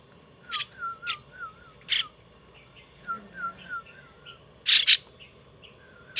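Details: Young pet starling being hand-raised and tamed indoors, uttering brief harsh, scratchy bursts at irregular intervals, alongside a soft repeated wavering whistle in a steady, patterned sequence.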